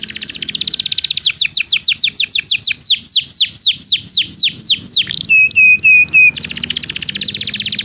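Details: Belgian canary song used to train canaries that do not sing: an opening rapid trill, a long chain of falling whistled sweeps, a few clear level whistles, then another fast rolling trill.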